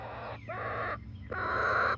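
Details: Pullets or young birds from a 19-week-old Barred Rock and Gold Star chicken flock in Grimes County, Texas, uttering loud, hoarse, drawn-out calls, two long harsh notes in quick succession, close and dominant over a low hum.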